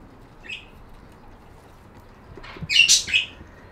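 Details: Budgerigar giving a short high chirp, then after a pause a louder burst of rapid, scratchy chirping lasting under a second.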